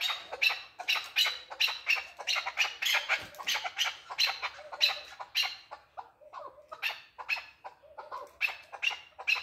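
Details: Male chukar partridge giving a long series of harsh, rasping chuck notes, fast and loud at first, then thinner and more broken, with a few short squeaky notes mixed in.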